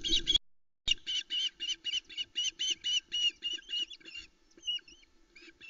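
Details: Three Osprey chicks alone on their nest at Loch Arkaig, 16 July 2020, just before 5:43 am, squeaking excitedly as the male arrives with a large whole trout: rapid, high, repeated squeaky chirps, about five per second, after a brief opening burst.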